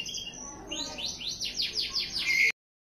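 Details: White-rumped shama chick, two weeks old, giving a quick series of rising chirped notes that grow louder toward the end before stopping abruptly.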